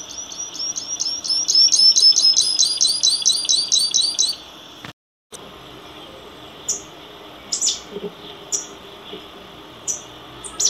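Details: Saffron finch (misto, canario tipio) delivers a quick burst of bright rising chirps for about four seconds, then after a brief gap only scattered single high notes with long pauses between them.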